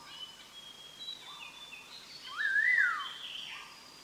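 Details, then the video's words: Collared laughingthrush singing on a trapping lure recording, one clear whistled phrase rising then sliding down, set among fainter chirps and thin whistles of other birds over a steady background hiss. "Chim Khướu đầu đen má xám hót hay"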